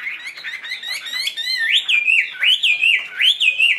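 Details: Tame captive Chinese hwamei with fanned tail, singing short twittering notes that build into strong, swooping whistles, each rising sharply then sliding down, repeated a little more than once per second.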